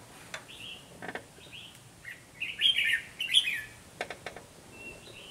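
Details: Red-whiskered bulbul used as a trapping decoy, with scattered short chirps building to two louder, rich warbled phrases midway, alongside sharp clicking taps and soft rustles.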